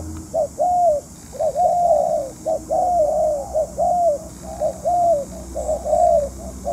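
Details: Spotted dove used as a decoy in dove trapping, long kept out of the sun, cooing loudly: mellow, hollow coos repeated almost once a second in uneven phrases, with faint background noise.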